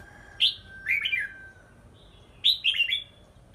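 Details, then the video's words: Caged red-whiskered bulbul being trained for stamina in a high-hung bamboo exercise cage; clear, warbling whistled phrases of two to four slurred notes, separated by a pause, over a faint steady background tone. "Phương pháp tập lực chào mào"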